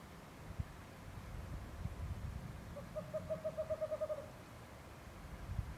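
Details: At night, a Western Screech-Owl, possibly in Los Angeles' San Gabriel Mountains, gives about ten soft, hollow toots that speed up like a dropped bouncing ball, with a low rumble of distant traffic underneath.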